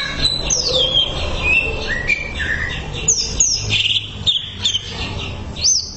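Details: Greater green leafbird singing on a training recording: clear descending whistles and slurred notes broken by short chirps, the phrases varied and quickly delivered over a low background rumble.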